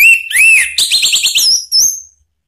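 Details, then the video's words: Orange-headed thrush song for provoking other birds: arched slurred whistles followed by a rapid trill of short notes and a final high whistled flourish. "isian TAJAM !!! bikin ANIS MERAH EMOSI NYAUT NGEPLONG ¦ PANCINGAN AM"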